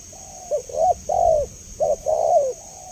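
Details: Spotted dove calling cleanly as a lure for other doves: a soft lead-in, a short bright coo, then a drawn-out wavering coo, repeated twice in under three seconds, with a constant high hiss behind.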